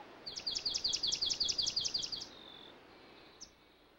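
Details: Swamp Sparrow (Melospiza georgiana) song: a steady, high, sweet trill of about a dozen identical notes, roughly six per second, for two seconds, then one faint high note in quiet surroundings.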